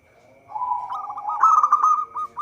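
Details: Local zebra dove singing, recorded as a lure for trapping: a low rolling purr rises into a loud, bright rippling trill, ending in clipped coo notes, with a faint constant whine behind.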